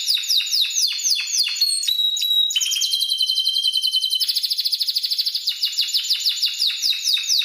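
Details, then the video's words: Spanish timbrado canary singing a training recording for other birds. Quick descending notes lead to a held whistle, followed by a long, fast, evenly pulsed rolling trill. "Spanish timbrado canary masteran paling manjur dan mewah buat cengkoknya"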